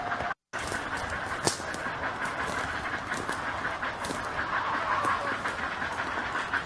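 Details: One-month-old Great Blue Heron chicks in a nest at the March Point heronry, Skagit County, demanding food: a rapid, harsh ticking chatter, nearly three beats a second, over a steady noisy hiss.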